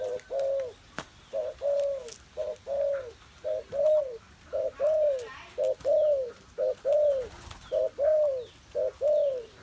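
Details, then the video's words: Caged spotted dove recorded 21 August 2021, cooing steadily in a low mellow voice: paired phrases of a short note and a longer arched note, repeated about once a second for the whole stretch, over a quiet background with faint clicks. "cu gáy"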